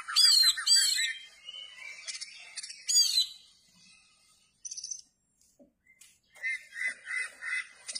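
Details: Oriental magpie-robin singing, tail spread: loud looping whistled phrases and high scratchy bursts in the opening seconds, a quiet gap, then softer chattered phrases returning.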